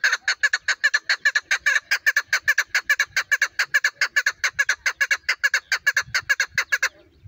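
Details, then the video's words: Female chukar partridge giving a fast, steady series of harsh, clucking chuk notes, about five per second for nearly seven seconds, then falling silent; faint low rustling beneath. "female chakor best voice"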